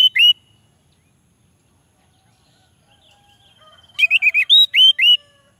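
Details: Orange-headed thrush song used as a lure to prompt lazy males to sing: a short burst of loud whistled, slurred phrases near the end after a long quiet gap, with one brief opening phrase.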